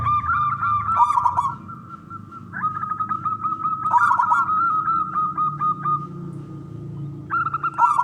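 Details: Wild local male zebra dove, contest type, singing so other doves answer: long runs of rapid rolling coos with brief breaks, over a steady ringing tone and faint low hum.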